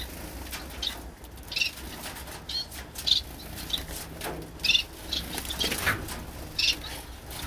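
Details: Pet Gouldian finches at rest utter scattered, brief, high-pitched chirps in small clusters, some doubled, with soft rustling and wing sounds between them and a faint low hum underneath.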